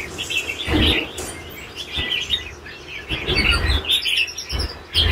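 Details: Red-whiskered bulbul singing in the style called lân bổi già: bright chirping phrases in short bursts, with low knocking thumps in between.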